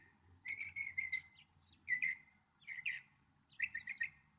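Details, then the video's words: Northern mockingbird singing short rattled phrases of quick chirps in four bursts, separated by brief pauses, over a low steady background rumble. "1 hour Northern Mockingbird!"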